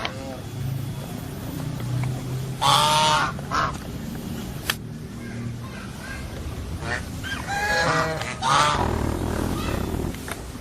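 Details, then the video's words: Goose calls: two clusters of loud, harsh, nasal honks, each a quick series of three or four blasts, separated by quieter stretches with low rumbling noise and a faint voice. "Funny GEESE SOUND / Suara Binatang Lucu ANGSA Soang"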